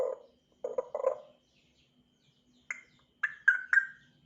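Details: African grey parrot starting to chirp: a few low, harsh nasal notes, then a pause and a short run of sharper whistled chirps at higher pitch, all clear over a quiet background.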